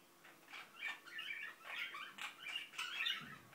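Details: Mumbling from a pet Indian ringneck parakeet indoors, a steady stream of low-volume scratchy chatter, clicks and squeaky warbled syllables, irregular and continuous throughout.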